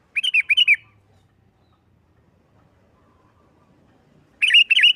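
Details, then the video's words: Sooty-headed bulbul in lively fighting-style song used to provoke other bulbuls into singing: two bursts of rapid, bubbling, warbled notes, each about half a second, separated by silence. "Suara Burung Kutilang Gacor NGGARUDA TARUNG ini sangat Cepat memancing Kutilang LAIN Gacor"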